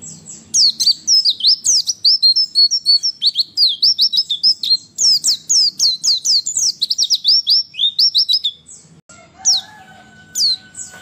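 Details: Female white-eye voice meant to stimulate males to answer and sing: a long burst of fast, high, chattering notes with sweeping slurs, thinning after about eight seconds into a few scattered chirps over a faint hum.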